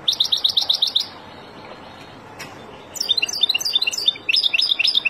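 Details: Wild European goldfinch song: a fast burst of bright, repeated high notes, a short pause, then a second run of tinkling, twittering phrases. A faint hiss sits under the song.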